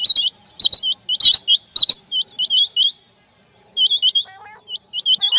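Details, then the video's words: Male and female quail in the rain: quick upward-flicking whistled notes in clusters of two or three, repeating steadily, several birds overlapping, with sharp clicking ticks early on and short quiet gaps. "Rain Male Female Quail Beautiful Sounds"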